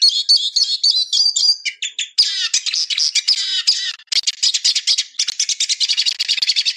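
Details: Eurasian siskin song, a dense, rapid twitter of high chirps and trills that keeps going almost without pause, with brief rattling stretches and a slightly strained, scratchy tone.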